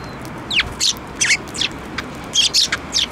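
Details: Sparrows flying onto a hand for food at a Tenmangu shrine on 7 May 2024, giving sharp descending chirps, about seven short notes spread across three seconds over faint background hiss.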